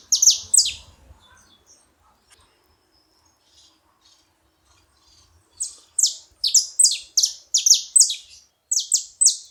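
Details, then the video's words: A saffron finch at a feeding site gives two high chirps, then falls silent for nearly five seconds. It then bursts into a fast, dense series of bright, falling chirps. "Canário da terra fazendo barulho na seva"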